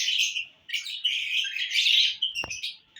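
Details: Lovebirds in a happy mood, recorded June 1, 2022: dense, high chattering and twittering in overlapping bursts, with a brief low thump near the end.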